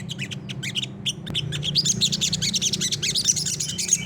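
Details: Olive-backed sunbird delivering a dense, non-stop 'gacor nembak' song for a master recording: rapid, high, scratchy chirps and sharp ticks tumbling together, with a low hum beneath.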